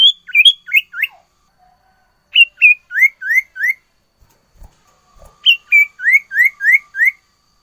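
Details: Sirtu in full song, vocally active and loaded with mimicked fill-in phrases: bright chirps in quick bursts of four to six, each note sliding up then dropping, with brief pauses between bursts and a faint low whistle.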